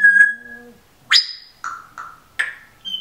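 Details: Pet female Timneh African grey parrot, recorded indoors while taping her talking, with a singer's music playing and a dog snoring nearby; a long level whistle, then a sharp rising squawk and several short harsh notes spaced about half a second apart.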